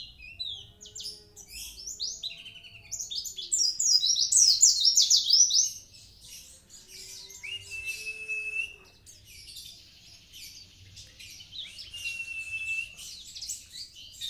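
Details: Mountain white-eye of the dagbal kintamani type, singing: high twittering builds to a loud flurry of falling notes, then quieter chatter with drawn-out thin whistles, and a faint low hum beneath.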